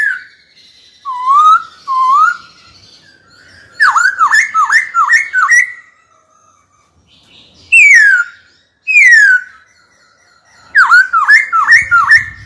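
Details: Trained caged black-throated laughingthrush singing to provoke a rival into fighting: loud, clear whistled phrases of rising and falling slurred notes in bursts, with pauses of about a second between groups.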